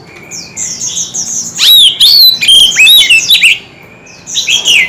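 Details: Oriental magpie-robin, a kept bird in a fierce singing duel with many voices: a thin steady whistle opens, then bursts of loud sweeping, slurred whistles and sharp chirps, a pause, and a final rising phrase.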